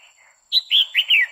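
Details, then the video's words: Female red-whiskered bulbul in quých kiu style, singing to excite a male: a loud phrase of four clear whistled notes, the last ones sliding downward, preceded by a faint low chirp. "Chào mào mái hót kích trống liên tục Chào Mào mái quých kiu mào mái hót"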